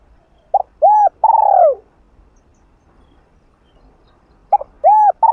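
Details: Spotted dove, called cu đất locally, repeating its urging hạp bổi coo to stir up a rival. Short notes lead into a long bending coo; after a silence a new phrase starts with two hooked notes.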